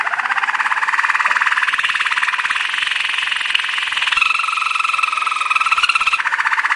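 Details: Waterslager canary training song: a continuous fast-pulsing bubbly rolling trill throughout, with a steadier two-tone phrase appearing in the second half.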